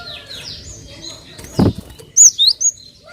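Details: Cinereous tit (gelatik batu) call used as a lure to prompt other birds to sing. Quick high, downslurred notes repeat, then a dull thump, then three loud, sharp high chirps in close succession.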